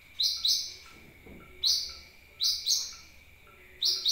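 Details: Sunbird lure call: sharp, high double chirps recurring roughly every second, over a faint steady high tone and brief soft rustling.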